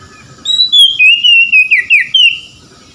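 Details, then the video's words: Oriental magpie-robin (kacer) song offered as therapy for stressed birds reluctant to sing: a loud, clear run of whistled notes, sliding downward from a high start and then rising again, over about two seconds with faint low rumble beneath. "PEMULIHAN KACER SETRES MALAS BUNYI LANGSUNG GACOR"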